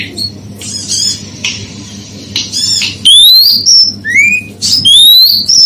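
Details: Female oriental magpie-robin call used to stir up males: soft scratchy chatter at first, then loud clear rising whistles, a level high note and a lower upward slur, with low hum behind.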